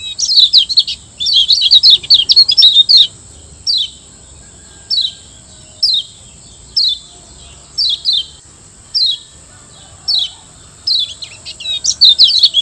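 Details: Lombok yellow white-eye (kecial kuning), Zosterops, master song for training caged birds: high twittering bursts in the first three seconds, then short downslurred chirps repeated about once a second, with a steady high hum throughout.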